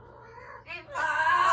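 Amazon parrot giving a short, rising nasal note, then a loud, harsh, harmonic-rich scream that holds steady to the end.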